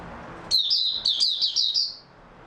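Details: A single continuous phrase from an oriental white-eye, recorded 3 March 2022 after it slept well: a fast stream of high, sweet, slurred chirps lasting about a second and a half.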